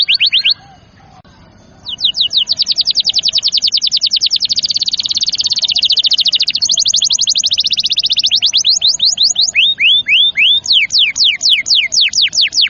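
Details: Tutor song of a canary meant to get young, stalled or lazy birds singing: a brief trill, a pause, then a long, very rapid rattling trill lasting several seconds, ending in slower curved whistles.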